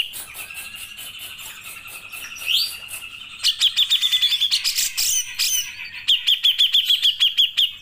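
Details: Singing grey-cheeked bulbul heard in a long burst song for songbird training: a sustained high tone with a rising whistle, then repeated bursts of quick, even, ringing pulsed notes separated by short breaks.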